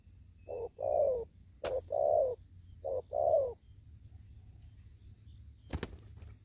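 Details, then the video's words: Wild spotted dove still out in an upland field, cooing in the 'đồng thúc gù' style: three low hollow two-part coos, a short note then a longer wavering one, followed by silence and a brief knock. "Cu Gáy. Đồng thúc gù."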